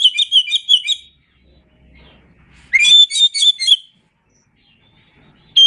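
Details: Oriental magpie-robin, called kacer, singing masteran: a chain of quick chirping whistles, a gap with faint low rumble, then an upswept note into a dense warbled phrase and a final whistle.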